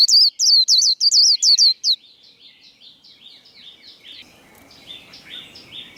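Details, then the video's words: White-eye 'líu' fighting song used to provoke rivals: loud, quick high whistles for two seconds, then the same pattern continues softer and more distant, over light background noise. "Vành khuyên líu đấu | Kích lửa vành khuyên líu đấu"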